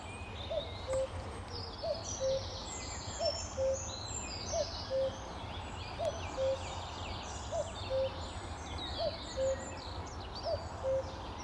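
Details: Common cuckoo calling on a sunny May 2014 morning at Amwell Nature Reserve beside a lake with reeds: low two-note cuck-oo, falling second note, repeated about every 1.4 seconds, eight times, over high chirping songs of other birds.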